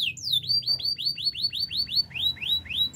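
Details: Canary singing a training song: evenly spaced, hooked whistled notes that rise and then fall, repeated at about four per second, with a short pause before slower notes at the end.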